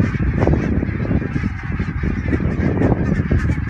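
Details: Thousands of greylag geese passing low over the Elbe dike at Wedel, Hamburg, on 12 April 2020, recorded on a phone: loud, dense honking from many birds at once, rough and continuous, over deep rumbling noise.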